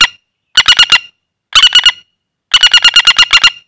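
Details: Common flameback, a wild bird caught by luring, calling loudly in the hand: short bursts of four to eight harsh, rapid rattling notes about once a second, with a quiet background.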